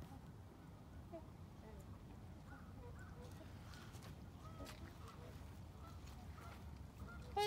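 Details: Trumpeter swans at Hudson, Wisconsin, on March 3, 2021, a flock giving soft, distant nasal honks scattered through the recording, then one loud, close trumpeting note right at the end, over a steady low rumble.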